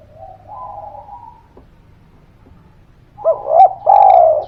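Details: Spotted dove calling as a lure for silent birds: a faint wavering tone, a pause, then a loud phrase of two short rising coos and a sustained falling coo, with a low hum beneath.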